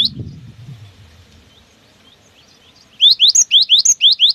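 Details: Cinereous tit (gelatik batu) in full, lively song of the long 'wucit wucit' style, used to prompt other birds to sing: after three seconds of faint low rumble, a fast series of sharp rising whistled two-note phrases begins and repeats rapidly.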